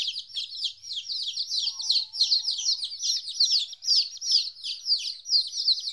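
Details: Baby chickens, 14 days old, on their first separation from their mother, producing continuous high cheeping, each note sliding downward, calls crowding together.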